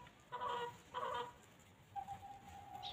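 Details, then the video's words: Free-roaming farm chickens pecking and grazing on fresh grass in the countryside: two short, harsh, harmonic clucks about half a second apart, then a long, steady, thin tone over quiet background. "Chickens Pecking and Clucking"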